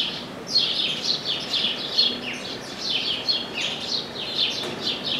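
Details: Chestnut-capped blackbird visiting an orange tree: rapid, fairly soft downslurred chirps repeating steadily several times a second, forming a busy twittering stream without a louder lead phrase.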